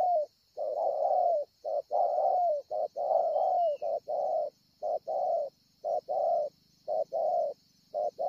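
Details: Wild-caught spotted dove with a scarred breast at Ngọc Hồi, 25 March 2020, giving a long run of mellow paired coos, a brief note then a drawn-out one, with a constant high-pitched whine and faint low buzz behind.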